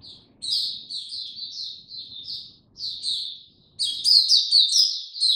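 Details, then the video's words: Oriental white-eye in a cage, singing slow and easy, 2 May 2022. Short bursts of high, warbled chirps broken by brief pauses, then a louder, busier flurry of bright notes near the end. "Mata Puteh Hercules buka sing go slow n easy"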